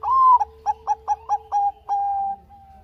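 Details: Zebra dove, Bangkok type, cooing to stimulate idle doves: a loud rising coo, then about six evenly spaced short bubbling notes and a final prolonged level coo.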